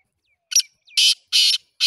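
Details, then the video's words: Black francolin calling: a short harsh note, then two loud grating, buzzy blasts about a third of a second long, and the start of another, with clean silence between. "titar sultan voice"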